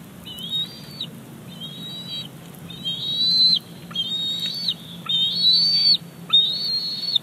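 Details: Bald eagle chick at its Big Bear Lake nest squeeing to get a fish delivered by its mother, summer 2019: repeated high, thin whistled squees, some rising sharply, in an uneven run of about seven calls.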